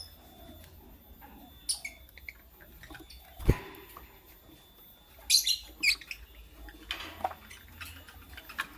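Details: Lutino and blue opaline lovebirds chirping in the morning: scattered short, harsh high-pitched chirps and squeaks, a few in quick succession, with a low thump and soft rustling between.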